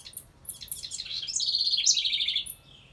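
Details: Bubbly, rolling wren song beside a birdhouse, opening with scattered high chips before a fast, bright trill that wavers and climbs slightly, then fades.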